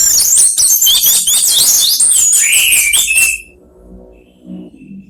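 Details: Orange-headed thrushes, three in a singing exchange. A packed stream of very high chips and twitters with a few lower whistled slurs runs for three seconds, then stops, leaving faint low background sound.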